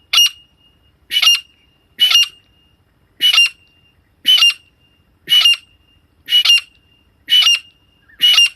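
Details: Harsh, ringing squawks of a female grey francolin, the call hunters play as a lure, repeated nine times at slightly uneven intervals of about a second, with a quiet background between notes.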